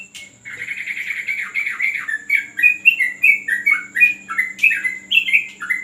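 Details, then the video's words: Yellow-vented bulbul singing during a training session on a terrace: a long run of bubbly, warbling phrases of short rising and falling notes, steady and continuous, with a faint background hum. "ngetrek burung trucuk"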